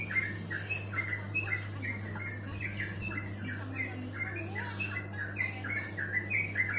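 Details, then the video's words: Bird chirping in a steady run of short, squawky notes repeated roughly twice a second, with an occasional thin rising whistle, over a constant low electrical hum. "Suara burung merdu"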